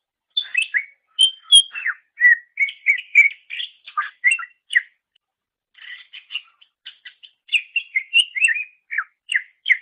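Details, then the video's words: Greater green leafbird, master song recording for songbird training: a long run of varied chirps, trills and slurred whistles, broken by a short pause midway. "Masteran Suara Cucak Ijo"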